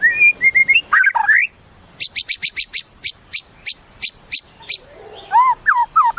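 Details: Song of a white-rumped shama: short whistled phrases, then a series of crisp, high repeated chips, closing with looping, bubbling whistles.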